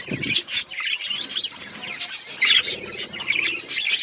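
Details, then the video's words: Budgerigars chirping together in a flock: dense overlapping warbles, squeaks and short chattering notes, continuous with no clear breaks. "Budgies relaxing sounds Birds chirping sounds"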